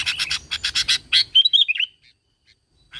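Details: Sooty-headed bulbul song, used to lure other bulbuls. A quick series of loud chattering notes leads into a run of bright, slurred whistles that fades out. A single faint note follows after a near-silent gap.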